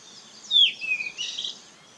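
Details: Yellow-rumped flycatcher on Hallasan: a single clear whistled note sliding downward, then a softer warbled trailing phrase, brief and isolated against quiet background hiss.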